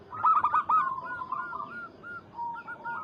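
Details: Local zebra dove calling a rival: a quick trio of loud, bright coos slides into a string of softer, evenly spaced, slightly wavering notes.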